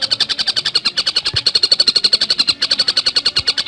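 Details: Dense, rapid chattering of a Javan cuckooshrike in active fast singing, used as a tutor and provoking recording: even high notes repeated about eight times per second almost without pause, with a faint low knock in the background.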